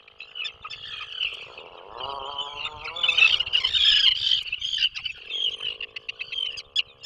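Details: Atlantic puffin in a breeding burrow off Maine: soft, arching harmonic groans followed by a steady low moan, partly masked by a loud, crackling high-pitched hiss.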